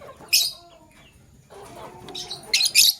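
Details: Male lovebird selecting a mate: a sharp shrill chirp, a soft chattering stretch, then two loud harsh chirps at the end.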